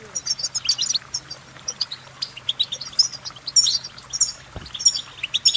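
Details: European goldfinch singing a fast, continuous twittering song of bright, high chirps and short trills packed closely together, with some notes sliding upward; a faint low hum runs underneath.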